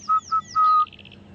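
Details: Orange-breasted bush-shrike calling repeatedly at sunrise on 3 January 2015 during a safari drive, three pure, mellow whistles on one pitch, two short then one drawn out; faint high chirps from other birds and a low rumble behind.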